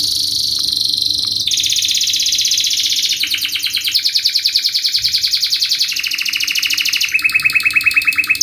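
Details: Canary in full, fast song, meant as a lure for young birds learning to sing: continuous rapid rolling trills that step between pitch bands every second or so, with no gaps throughout.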